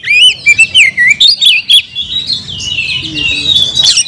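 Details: Oriental magpie-robin kept as a songbird: rapid staccato whistles about four per second, then a long, sweet rambling warble of gliding notes.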